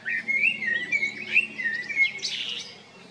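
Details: Male common blackbird recorded in April and May 2022 at Jarun and Prečko, Zagreb, Croatia; a mellow fluted warble of low whistled notes runs for two seconds, then breaks into a higher squeaky twittering flourish before fading.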